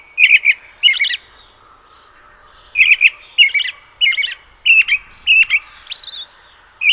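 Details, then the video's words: Robin calls in clustered pairs of sharp, high chirps and trilled notes, about ninety-seven per minute but irregularly spaced, with a two-second pause early on. Otherwise little background sound. "Как кричит малиновка? 🐦 Звук кричащей малиновки"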